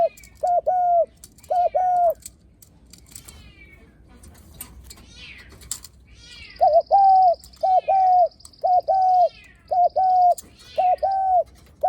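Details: Spotted dove's visitor-greeting coo: a pair of short-long coo phrases, then a gap filled with rising chirps from other birds. Steady paired coos resume alongside a buzzy high trill.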